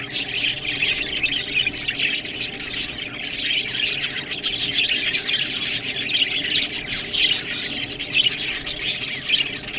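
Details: Green food being eaten by budgerigars, who keep up a steady, high-pitched twittering and grating warble, many calls overlapping, with clicking noises running through.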